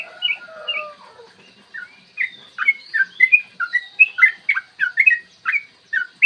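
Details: Yellow-vented bulbul 'ropel panjang' song, a morning lure for provoking other bulbuls; opens with a few drawn whistles, then breaks into a fast, steady series of sharp bubbly chirps.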